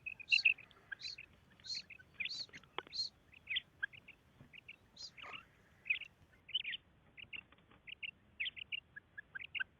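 Female quail calling: short, high, clipped notes in quick pairs and runs, repeated steadily throughout, with faint chirps from other small birds.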